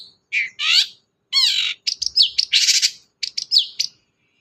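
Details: Long-tailed shrike song used to get a silent bird singing: nasal squawks and a harsh buzzy note, then a burst of clipped whistles and rasps, ending in short rising squeaks.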